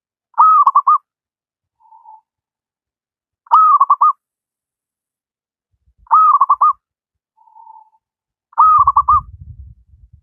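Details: Local wild zebra dove singing eagerly, a master track for doves that rarely sing. Four repeated phrases roughly every two and a half seconds, each a held coo then a quick stuttered run, with faint soft notes between and low rumbling noise near the end.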